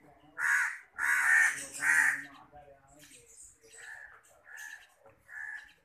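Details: Hand-reared pet Long-tailed Shrike (Lanius schach) gives three loud, harsh, grating calls in quick succession, then three softer, shorter rasping notes about a second apart.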